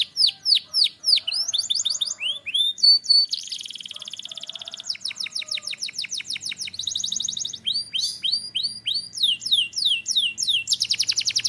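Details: Belgian canary singing a long, varied song of rapid repeated trills and rolling phrases, shifting between sweeping whistled notes, buzzy rattles and fast chirped series, all high-pitched and loud, with no other sounds.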